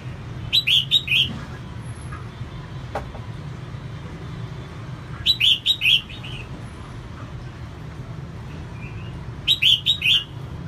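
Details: Caged female red-whiskered bulbul singing diligently to stir males: three bursts of four or five rich, slurred whistled notes, spaced roughly four to five seconds apart, with a single faint click and a low background hum.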